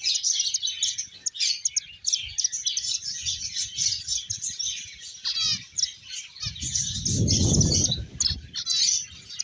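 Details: Several finches chirp in a busy flock, high thin twitters and quick trills running without pause, while a burst of low rumbling noise swells near the end.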